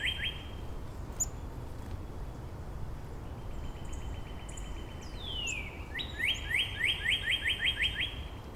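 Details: Northern Cardinals trading song variants in Angrignon Park in March: a quieter distant series of many short whistles, then a closer down-slide and a run of louder rising whistled notes, with light background noise.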